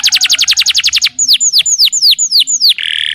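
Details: Canary master song for teaching young canaries to sing: a rapid rattling trill, then slower, clear, falling whistled notes about four per second, ending on a short buzzy note.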